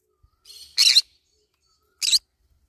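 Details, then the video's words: Green-cheeked conure eating banana leaves, giving a harsh, raspy squawk that builds from a softer buzzy lead-in, then a second short harsh squawk after a one-second pause; otherwise quiet. "green cheek conure cute bird sound"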